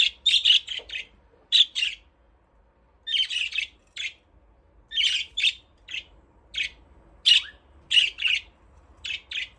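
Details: Budgerigars playing in their aviary give rapid bursts of harsh, buzzy chirps and chatter, clustered in quick runs of two to four notes with short pauses between, busy and overlapping throughout; faint low hum beneath.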